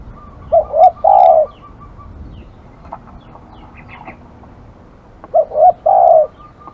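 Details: Aggressive spotted dove calling: two short coos run together, then a longer rolling coo. The phrase comes twice, about five seconds apart, over faint background hiss.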